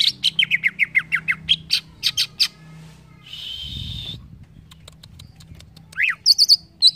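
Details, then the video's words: Green leafbird song used as a training recording to prompt birds to sing: a quick run of sharp, descending whistled notes, then a buzzy burst, a rising slur and a few high chips. "CUCAK IJO BAHAN CEPAT NYAUT DENGAR CUCAK IJO INI"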